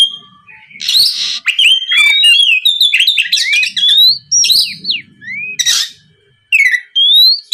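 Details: Oriental magpie-robin in energetic song to provoke a rival into answering: tumbling whistles, slurred up-and-down notes and scratchy buzzes, a rising whistle near the end after a short pause.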